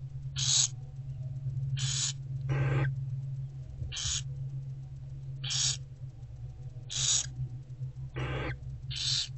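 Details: Young barn owls in a nest box being fed by the mother during daylight, 15 February 2024 around 11 am: about eight rasping, noisy hiss-screeches at uneven intervals of one to one and a half seconds, with constant low hum beneath.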